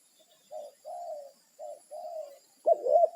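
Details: Spotted dove calling companions in the wild, territorial: several softer drawn coos in pairs, then a louder stuttering coo phrase beginning at the end.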